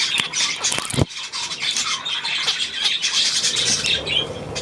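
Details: Budgerigars on 9 February 2024 produce bright, rapid chirps and squawks in a crowded chorus, with a single loud thump early on.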